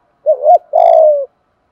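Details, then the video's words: Spotted dove with a thổ-style voice calling to prime decoys and excite wild doves. One brief swelling hooked note, then a sustained, gently pulsing coo that falls away at its close. "Chim cu đất giọng thổ đủ bài- thúc gù bài bản- gáy gọi mới nhất"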